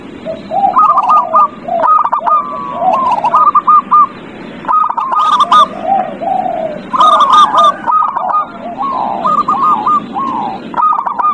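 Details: Zebra dove (perkutut) lure song meant to set a silent dove singing: continuous overlapping phrases of rapid hooked coos followed by lower slurred notes, repeated about every two seconds, with faint clicks.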